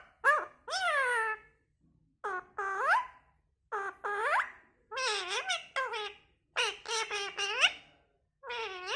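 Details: A talking parrot gives a series of separate squawky, speech-like phrases. Each phrase is rich in harmonics and bends down and then up, with short silent gaps between the bursts.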